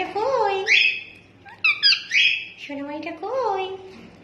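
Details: Pet rose-ringed parakeet imitating human speech indoors: short, raspy, voice-like phrases with rising and falling tones, separated by brief pauses, with a few sharper squeaky notes.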